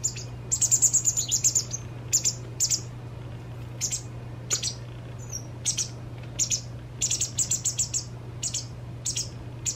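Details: White wagtail fledgling, two days before becoming independent, begging while a parent feeds it its fill: high, thin chirps in quick bursts of four to six, then scattered single notes, over a steady low hum.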